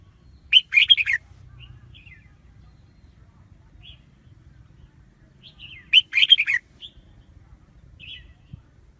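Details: Red-whiskered bulbul lure recording, a standard-voiced bird used to draw wild bulbuls into traps: two bright, rapid warbled phrases about five seconds apart, with a few soft single chirps between them over a faint low background hum.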